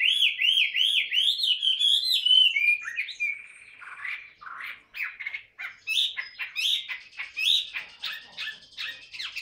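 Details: Chinese hwamei, a tame cage bird, practising its voice: fast repeated looping whistles, then a quieter spell and a varied series of sharp whistled and clipped notes.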